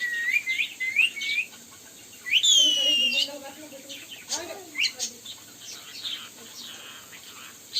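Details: Indian ringneck parakeets, kept as pets and shown talking and dancing together: rising whistled notes and sharp chirps mixed with short speech-like phrases in a lower voice, in an uneven run of calls.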